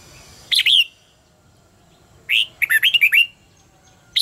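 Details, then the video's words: Red-whiskered bulbul singing in contest style, used as a lure for training birds: a short bright warbled phrase near 0.5 s, a longer run of quick whistled notes around 2.5–3.3 s, then another burst at the end. "luyện giọng cho chào mào hót hay - căng lửa, chào mào hót quá phê"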